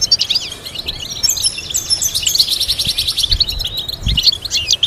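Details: High, sparkling European goldfinch song for teaching goldfinches melodies: rapid twittering runs, repeated buzzy trills and quick chirps flowing continuously, with a couple of soft low thuds.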